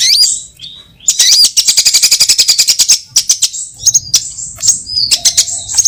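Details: Sunbird lure call for trapping, combining various sunbird kinds: an opening high chirp, a pause, then a rapid buzzy trill of sharp ticks lasting about two seconds, followed by scattered squeaky whistled notes.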